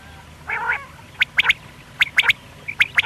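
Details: A quail, apparently a Pakistani quail heard in the morning, gives sharp, high clipped notes in quick triplets about three-quarters of a second apart, after a short nasal, drawn-out note.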